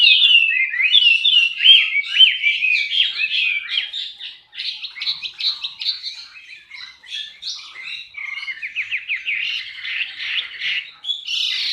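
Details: Male Chinese Hwamei, a loud-voiced captive-bred songbird kept for singing contests in Indonesia, pouring out a varied run of clear whistled phrases, slurred rising and falling notes, then fast repeated chips and a bright final flourish.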